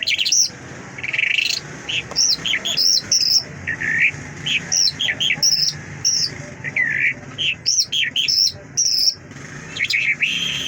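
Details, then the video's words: ['Mashhadi lark in long varied song: high whistles, downward and upward slurs, and chirpy phrases, delivered almost without a break.'] "Mashhadi lark singing مشہدی جل"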